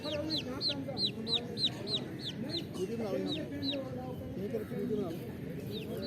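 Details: Twenty-day-old Rhode Island Red chicks in a flock, their shrill, descending peeps running in an irregular stream of about three a second, with softer low calls and human voices behind.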